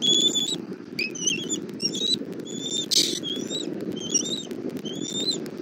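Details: Bald eagle nest in Southwest Florida on a nest camera, 17:30 on 1 April 2024, as the mother brings food to her chick: high thin whistled notes with harmonics, some rising or wavering, repeated in quick uneven series over a low rumbling background.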